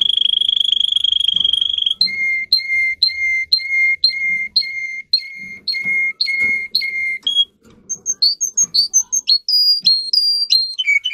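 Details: Russian singing canary song used to train other canaries: a steady high whistle held for two seconds, then a clear lower note repeated about twice a second, then rapid varied high trills and rising whistles, with faint soft background thumps.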